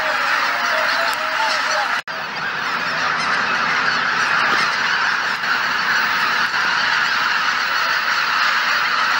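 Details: Wild geese gathered at Shishibana on Izunuma marsh, Japan, on a cloudy morning before taking off. A dense, continuous chorus of many overlapping nasal honks, with a brief sharp click near two seconds.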